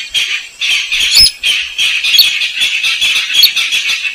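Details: Slaty-breasted rail, known locally as weris or sintar semak, in a lure recording meant to draw the bird out: dense harsh squawking notes in fast, uneven runs, with brief gaps and a few sharper squeaks above.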